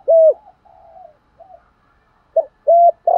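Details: Spotted dove used as a decoy, calling in the morning to attract wild doves. A loud coo, soft trailing murmurs, then the start of a new phrase with clipped coos.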